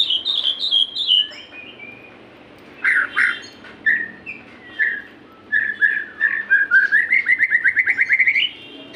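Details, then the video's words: Captive-bird lure song of a white-rumped shama: high sliding whistles open, then scattered chirps and clear notes, ending in a fast, steadily rising series of repeated short whistles. "pancingan burung murai susah gacor.di jamin 💯 gacor murai"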